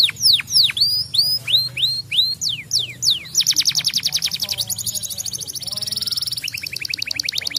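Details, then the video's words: Yellow canary singing to spur other birds: slow, looping upslurred and downslurred whistles give way to a long, very fast silvery trill, then a high sustained rattle and a final rapid trill. "canário amarelo cantando para estimular o som dos ingredientes das aves"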